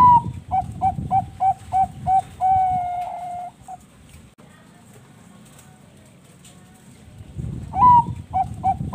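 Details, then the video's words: Energetic perkutut bangkok, a Bangkok-type zebra dove, giving lure song to spur other doves to sing: rapid run of short mellow coos ending in a drawn-out note, a pause of near silence, then a new phrase opening with a rolling coo. "PANCINGAN SUARA BURUNG PERKUTUT BANGKOK GACOR"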